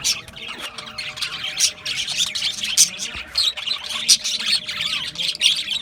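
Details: Australian budgies chirping together, rapid high twitters and short sharp squeaks packed tightly, loudness rising and falling in waves.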